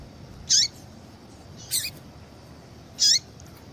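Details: Female yellow-bellied seedeater calls meant to prompt a male's song. Three thin, high chirps roughly every 1.2 seconds, the middle one softer and doubled, over low steady hiss.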